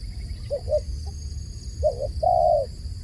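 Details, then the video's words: Dove calling: low soft hooted coos in short groups, two brief notes then a longer drawn-out coo, over a steady background hum. "The sound of a dove calling"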